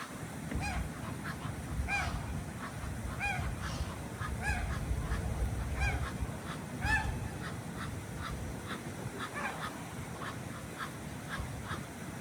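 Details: Ducks swimming at Jardin aux Canards in Monaco on a morning, giving a series of nasal, honking calls with stacked overtones, roughly one each second, over a steady low rumble of water and background noise.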